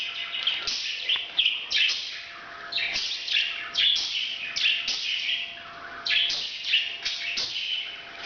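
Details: A parrot calling during breeding, a steady stream of high, raspy chirps and squeaky notes, rising and falling in short clusters with little pause between them.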